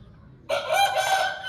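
An Aseel rooster crows after a short quiet pause: a loud, harsh, sustained note that holds steady for about a second before being cut off.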